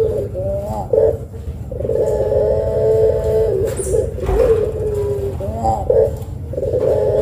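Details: Lure call of a puter pelung Barbary dove, meant to set rival doves calling: short rising notes, then a sustained wavering coo of about two seconds, more clipped phrases, and another long held coo, all over a steady low background hum.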